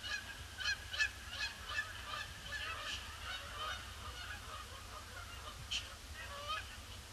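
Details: Canada geese flock circling a pond before landing on a gloomy Boxing Day; clear repeated honks, bunched in the first seconds then more spaced, with steady low-frequency rumble beneath.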